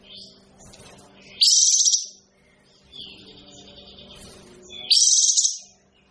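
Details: Olive-winged bulbul (burung kapas tembak) repeating a loud, rasping, slightly rising phrase about half a second long, twice, three and a half seconds apart, over quieter twittering and a constant low electrical hum.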